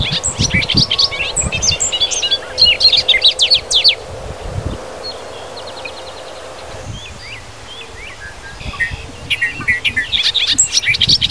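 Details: Bobolink singing in grasslands and fields of Wisconsin: several bursts of bubbling, gurgling, tumbling high notes, each lasting about a second, separated by quieter pauses with faint rustling and low background noise.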